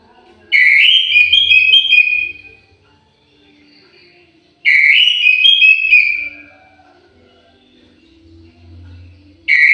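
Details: Orange-headed thrush in an aviary repeats loud, rich whistled song phrases about every four seconds, each a tumbling run of varied notes, with soft quieter notes between.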